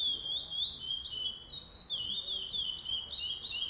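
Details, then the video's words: Curió pardo, a chestnut-bellied seed finch, at a singing tournament on 8 November 2020, giving a short stretch of bright whistled notes that glide and step between two pitch levels in a quick, even flow. "Torneio de Curió Pardo"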